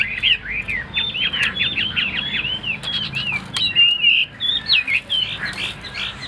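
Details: Caged, tame Chinese hwamei singing a fast run of loud whistled notes, slurred and looping phrases repeated about four per second, with a few clicks and rustles in the background.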